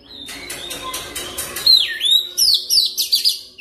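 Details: Oriental magpie-robin, called kacer, singing a lure song for fast ngerol training: an opening of scratchy repeated notes, then a swooping slurred whistle and a fast series of bright chirps.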